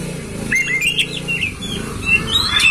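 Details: Oriental magpie-robin (kacer) master song, played to prompt a kept bird to spread its tail and sing (ngobra): short scattered whistled notes and slurs, fairly faint, over a steady low hum.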